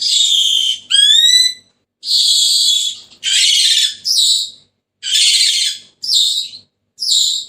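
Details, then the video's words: Senegal parrot giving loud, harsh, rasping squawks in short bursts about a second long, with one clear rising whistled note near the start. Brief silences separate the calls, and no other sounds are heard. "تغريد ببغاء السنيغالي the sound of the parrot senegal"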